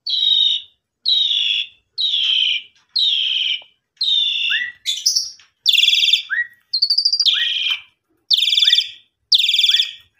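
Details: Caged Asian pied starling, heard as a prompting sound to get starlings singing again, giving loud, harsh, buzzy notes about once a second, some with rising whistled starts and high squeaky inserts, in a steady run.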